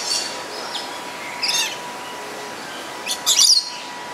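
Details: Pair of black-capped lories recorded on a JVC GZ-HD7 camera: shrill, high screechy notes in short bursts, one near the start and a louder cluster of three harsh squawks later, over a faint steady hum.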